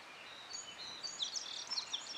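American Goldfinch giving a quick run of thin, high, sweet chirps, some slurred downward, over a soft background hiss.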